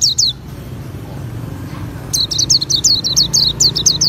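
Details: Two quick high notes, a pause, then a dense stream of sharp, thin, falling chirps from an Oriental white-eye (pleci auri) singing ngriwik, with faint vehicle noise in the background.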